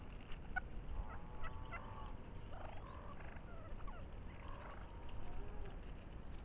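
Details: Spring wild turkeys, with courtship on their minds as the season arrives. Soft, rolling, slightly nasal bursts repeat several times over a low, steady outdoor rumble, with faint higher chirps of small birds above.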